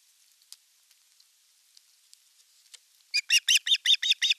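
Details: At an osprey nest in Satakunta, western Finland, 5 August 2024, during a fish delivery with the elder chick attacking the younger: faint ticking at first, then a fast burst of about ten sharp, high, harmonic yelps.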